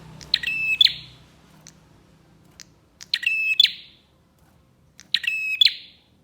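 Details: Bar-winged prinia song, played as a lure to make other prinias sing: three loud, sharp phrases about two seconds apart, each a buzzy rattle over a steady high whistled note, ending in a click.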